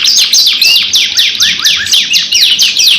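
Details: Long, vigorous canary singing used as a lure song, two-in-one recording: loud, clear downslurred whistles repeated roughly four times per second in an even rhythm.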